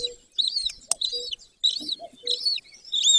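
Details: At a golden eagle nest in the Carpathians of Bucovina, Romania, on a May morning in 2024, high arched squeals repeat about every 0.6 seconds. Soft low notes and a sharp click are mixed in.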